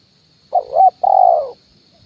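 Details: Spotted dove lure call of the "kuk 1" style, played as a decoy to attract wild doves perched on branches and on the ground. One cooing phrase: a short wavering coo, then a longer steady coo, with a faint constant high hum.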